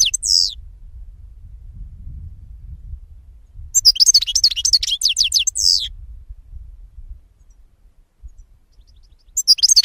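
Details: European goldfinch singing a lively burst of rapid high twitters and downslurred chirps with a buzzy end, between quieter gaps with faint low background rumble.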